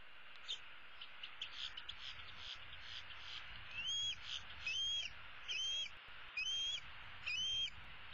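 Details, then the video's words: Female bald eagle eaglet of 2016 perched in the nest tree, begging her parents for supper: five high, thin, upslurred whistles about one second apart in the second half, after fainter, softer calling. "E7 dangles her right leg and calls for her parents to bring her some food."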